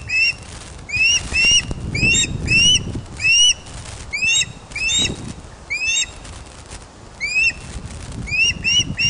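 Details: Webcam recording of ospreys at the Loch of the Lowes nest in Scotland, 31 August 2013, 16:39, as a large fish is delivered; bursts of high, upslurred whistled chirps in short runs, with gaps between bursts and faint rumble.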